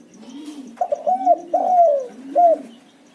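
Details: Spotted dove in a lure recording for provoking doves to sing: after soft lower cooing, a phrase of quick stuttered coos, a long drooping croon and one short closing coo, with faint regular ticks throughout.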